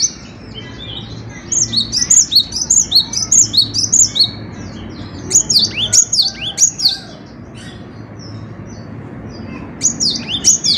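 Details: Cinereous tit (gelatik batu) delivering long runs of quick, high, upslurred whistles, roughly ten notes in a row. The runs break into a pause before resuming with fresh repeated phrases.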